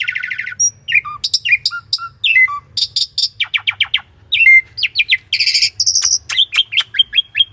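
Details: Caged Asian pied starling's varied master song, recorded with a Sony A6400: a fast trill opens, followed by short whistles at shifting pitches, bursts of rapid repeated notes and a held high note.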